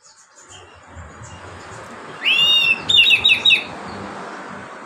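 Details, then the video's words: Oriental magpie-robin singing a relaxed song meant to prompt reluctant magpie-robins to sing; a single loud burst of rich, slurred whistles and sharp rising notes in the middle, against low background hiss. "KACER NGEPLONG SANTAI COCOK BUAT PANCINGAN KACER MALAS BUNYI."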